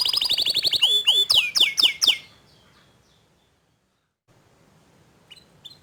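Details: Canary, a young bird responding after hearing another canary sing: a fast trill followed by several loud down-slurred whistles, then quiet with faint high notes near the end.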